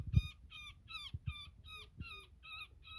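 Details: Netted woodpecker in distress during its rescue: rapid, raspy, even-pitched calls repeated about three times a second, with occasional dull thumps from handling underneath.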